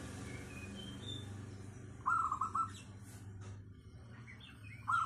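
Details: Local zebra dove song, prized as clear and dense and good for luring. One short burst of bubbling, clipped coo notes, then another starting at the end. Faint high chirps of other birds and a low hum behind.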